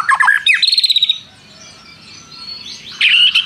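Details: White-rumped shama song with prenjak mimicry, a tumble of quick descending notes ending in a short rapid trill, a near-silent pause, then a sharp whistled phrase starts again.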